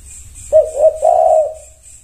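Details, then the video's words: Spotted dove, called tekukur, responding to another bird with a brief low coo sequence: two short hollow notes followed by a longer wavering coo that trails off, with continuous high buzzing and low hum behind. "Semua tekukur wajib ain merespon 100% NYAUT"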